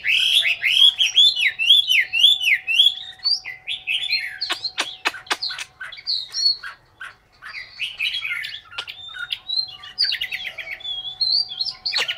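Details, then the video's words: Chinese hwamei, a caged songbird from Hanoi, Vietnam, opens with a run of rapid looping whistles, then sharp clicks and mixed chattering phrases, ending in clear whistled notes, with a faint steady hum behind. "họa mi m25 tố chất"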